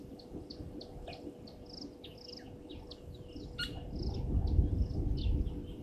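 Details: European bee-eater calling at Gowrie dam waterhole, Djuma Game Reserve, Sabi Sand, South Africa, 17:00 on 15 January 2023; rapid series of short, high chirping notes, several birds overlapping, with a low rumble building in the background.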